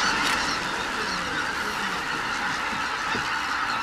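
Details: Greater white-fronted geese calling as they leave the roost, a hazy, layered chorus of many distant honking voices with a few nearer, sharper yelps.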